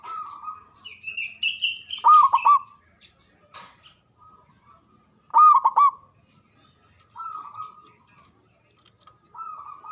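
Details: Javanese local zebra dove, a caged singer with a loud voice and long breath, gives rapid bubbling coo phrases at intervals with drawn-out single coos between, plus high squeaky notes from another bird early on.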